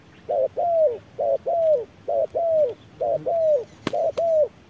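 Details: Wild spotted dove answering an electronic decoy at harsh midday, calling to fight. Paired low coos: a short note, then a longer falling one. Four pairs in steady rhythm, with sharp clicks near the end.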